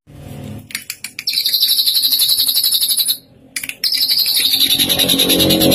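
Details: Tame, prolific saeran drongo with a rich learned repertoire, giving a sustained rapid buzzy trill of high pulsed notes, interrupted once by a short gap before continuing.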